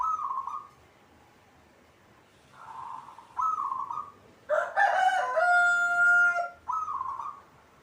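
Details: Local zebra dove kept in a cage, in full song, giving short trilled cooing phrases near one pitch, about four spaced through the stretch, broken midway by a louder, longer harmonic call with steady tones.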